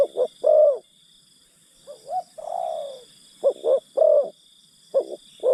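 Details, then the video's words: Spotted dove decoy luring wild birds gives repeated three-note coos with one longer, lower drawn-out descending coo in the middle, high insect buzzing throughout. "Pikat Terkukur Aksi denak memujuk burung hutan"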